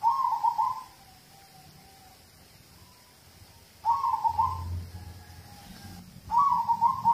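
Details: Zebra dove of a local strain singing, as a lure to start other birds singing. Three pulsing coo phrases about three seconds apart, with faint low rumbling noise between them.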